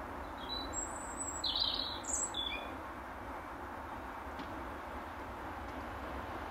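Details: European robin singing in an apple tree during the last hour of daylight to defend its territory; a varied phrase of very high, thin whistles and quick tumbling notes in the first few seconds, then steady background hum.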